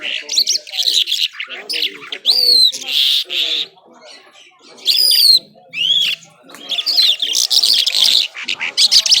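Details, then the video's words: Nonstop singing of an Irani Mashadi jhal, or skylark: loud clear rising whistles and ringing slurs alternate with chattering trills, broken by short pauses, with faint low sounds in the background. "Nonstop Singing Jhal"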